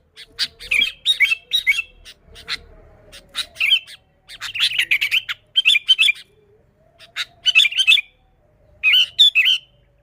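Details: Sooty-headed bulbul singing energetically, used as a lure for other bulbuls: choppy clusters of quick bubbly notes repeated every second or two, with a faint steady hum underneath.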